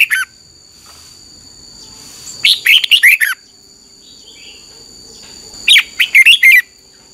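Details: Red-whiskered bulbul morning song from 2021, used as tutor calls to train other birds: two lively phrases of rapid, warbled, falling notes about three seconds apart, with a steady high whine in the background.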